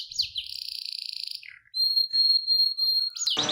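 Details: Canary holding a long pulsing trill, dropping briefly, then a pure sustained whistled note, ending with a sudden sharp burst.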